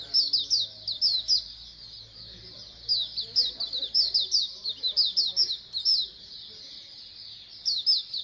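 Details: A colony of Oriental white-eyes (pleci koloni), a recording meant to encourage birds to sing more. Rapid high twittering notes pour out in clustered bursts, with a short lull near two seconds before the chatter resumes.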